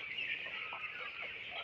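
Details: Broiler chicks reared on a farm in winter: a dense, unbroken chorus of high, thin peeps from many chicks at once, steady in loudness throughout, with a few lower chirps standing out.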